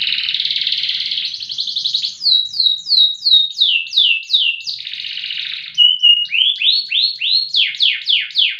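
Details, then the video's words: Loper canary in full loud song: a buzzy rolling trill leads into a series of down-slurred whistles, a short level tone, then more rising and falling whistled notes in steady rhythm. "KENARI LOPER PRESTASI DURASI VOLUME LAGU MANTAP"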